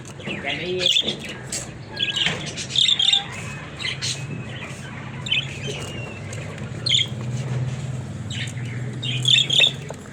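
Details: Several pet budgies give repeated loud squeaky chirps every second or two over soft continuous warbling, with a low steady hum underneath.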